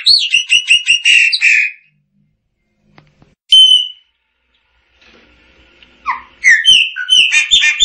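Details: Chopi blackbird song in two bursts of rapid, bubbling chirps and whistles, separated by a quiet gap broken by one loud clear whistled note.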